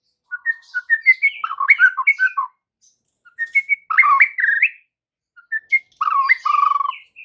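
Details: White-rumped shama singing in an afternoon lure recording aimed at juvenile and moulting shamas: three bursts of rapid varied whistles and rattling trills with brief pauses between them.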